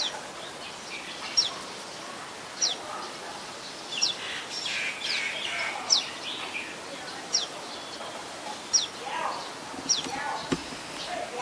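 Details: Common Tailorbird, adult resident bird, Ubon Ratchathani, Thailand, 27 January 2021: thin high downslurred notes every one to two seconds amid a busy background of other birds and faint voices.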